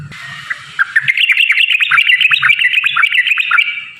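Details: Yellow-vented bulbul song meant to prompt other bulbuls to sing, a fast chattering stream of bright whistled and bubbling notes building after a quiet start, with soft low knocks in the background.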